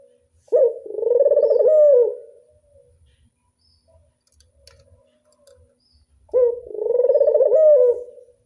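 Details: Barbary dove of a local strain delivering classic angungan coos: two separate vibrating, rolled phrases with a quiet gap of about four seconds between them and faint background noise.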